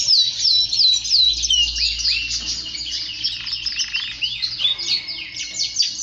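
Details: Male canary in full song, a continuous high warble of quick swooping slurred notes and sweeps, shifting through varied phrases without pause, with one sustained whistled tone near the end.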